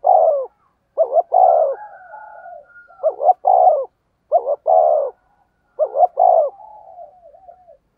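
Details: Fast rustic 'thúc gù' decoy cooing from a spotted dove. Phrases come in quick succession, each of two brief notes and a longer descending coo, with a softer wavering coo trailing behind several of them.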